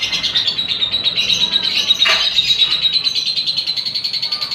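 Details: Lovebird ngekek song played as a lure to get other lovebirds singing: a long, dense, shrill chatter of rapid pulses, steady and unbroken, with one brief louder squawk near the middle.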